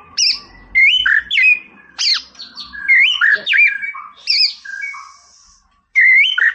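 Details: White-rumped shama song meant to stir up a rival bird: loud fluty rising and falling whistles mixed with buzzy chatters and high sharp notes in quick bursts, one short silence before a final whistled phrase.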